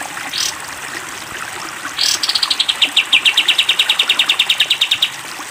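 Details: Masteran recording of sooty-headed bulbul for cage-bird training, long 'tembak' style: two quick rising whistles, then a drawn-out rapid chattering trill of evenly spaced high pulses, about three per second faster than counting allows.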